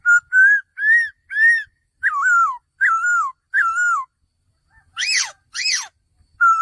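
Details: Clear whistles from a male laughingthrush: four even, level notes, then three longer phrases that dip downward, and two harsher, buzzier notes near the end before another whistle begins.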